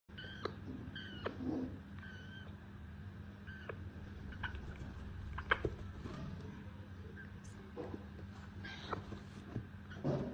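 An African grey parrot chick gives short, nasal, mewing begging calls, several in quick bursts, over a steady low mechanical hum.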